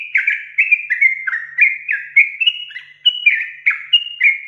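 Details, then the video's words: Sooty-headed bulbul singing a long, rapid song: a continuous stream of short slurred whistles and warbled notes, each rising or falling, about three per second with no pause. "TRUCUKAN GACOR ROPEL PANJANG"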